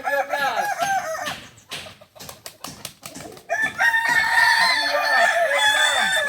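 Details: Kukuak Balenggek chicken, an ornamental breed native to Solok, West Sumatra, at a practice gathering; harmonic crowing opens, broken by sharp clicks and knocks, then a long crow with a string of arched, wavering syllables returns.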